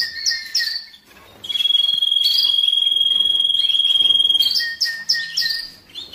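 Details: Domestic canary singing for breeding stimulation and training of young birds: a pair of quick notes, then a long even rolling trill lasting about three seconds, ending in repeated short chirps.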